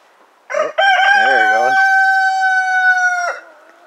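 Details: Ameraucana cross rooster sounding off among a mixed flock of chickens, guinea hens, geese and a duck: a short rough opening, then a long, loud, level, harmonic crow held for about two and a half seconds before it drops away.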